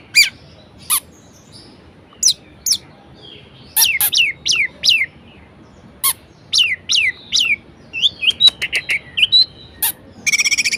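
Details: Caged orange-headed thrush singing a varied, lively song meant to stir lazy birds into singing: sharp high chips, repeated downward-swept whistled notes and a closing buzzy rattle.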